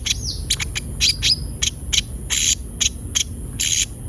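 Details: Konin producing rapid, high, scratchy chips and short squeaky slurred notes in uneven bursts, used as a lure to prompt other birds to sing; a continuous high-pitched whine underneath.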